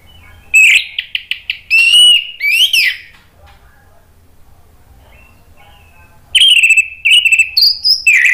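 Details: Orange-headed thrush singing to draw rivals into replying, a series of quick sharp chirps followed by rich rising and falling whistles, then after a pause a second varied burst of loud whistled and buzzy phrases.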